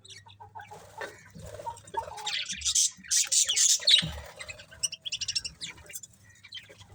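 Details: Budgerigars chirp and chatter in quick, bright, scratchy bursts while eating, with a low hum underneath.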